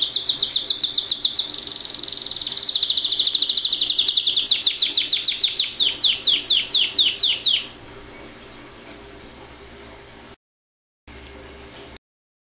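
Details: A pet canary singing indoors: rapid high chirped trills in fast repeated bursts for about eight seconds, then it stops, leaving faint background hum.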